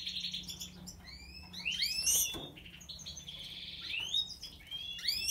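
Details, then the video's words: European goldfinch song of quick rising chirps and slurred whistles mixed with a sustained buzzy trill, rapid and varied throughout. "Stieglitz Major Weiskehl 🐥 Goldfinch Cardueli طائر الحسون الرائد щегол"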